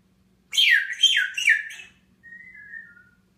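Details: Pet grey parrot whistling in the morning while perched atop its cage, June 15, 2016, indoors: three swooping whistled notes falling then rising around mid pitch, followed by a softer, thinner drawn-out whistle.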